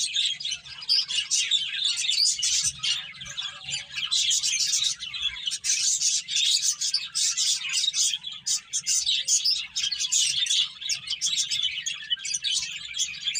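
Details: Finches chirping while they eat and play: many birds calling at once in a thick, busy wash of quick high tweets that never stops, with a soft low hum underneath.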